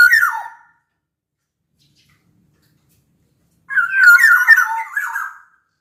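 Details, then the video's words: Sumbawa black-naped oriole, a large bird in vigorous song for prompting other orioles: a short fluty note at the start, about three seconds of silence, then a warbled whistled phrase with a scratchy edge. "Kepodang Lokal Gacor Suara Buat Pancingan Burung Kepodang Agar Bunyi."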